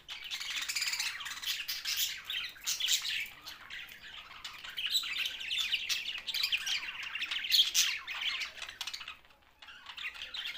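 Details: A flock of budgerigars, the Australian parrot, in Larkana, Sindh, chattering in rapid, buzzy chirps and squawks that stay busy before briefly easing near the end.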